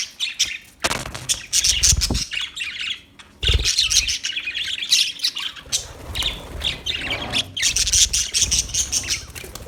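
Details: Budgies chirping: dense high twittering warble broken by low thumps and wing flutters, resuming as steady busy chatter.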